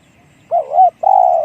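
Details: Spotted dove giving a 'one-kook big voice' coo: a wavering double note rising and dipping, then a long, steady, hollow coo held to the end, over a faint low background hum.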